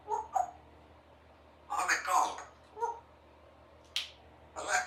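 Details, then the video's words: Pet Congo African grey parrot, a three-year-old female, practising sounds indoors: short hooting notes, a raspy spoken phrase and a sharp click-like snap. "A few minutes while Symon the African Grey Parrot practices her words and sounds"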